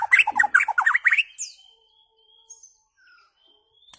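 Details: White-rumped shama song used to tutor goldfinches and their hybrids: a dense, loud burst of varied rising and falling whistles for just over a second, then near silence broken by a few faint, thin drawn-out notes.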